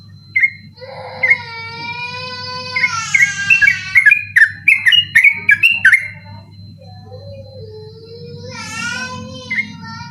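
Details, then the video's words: {'caption': 'Night-time sooty-headed bulbul song, ropel style, recorded for training other birds: scattered liquid whistles, then a fast run of sharp, clipped notes in the middle, and a steady low hum throughout.'} "burung trucukan ropel ngotot dimalam hari cocok buat masteran ropel malam"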